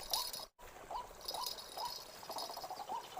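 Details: White-breasted waterhen in a forest: a run of short upslurred notes, several per second, over hissy high-pitched background noise.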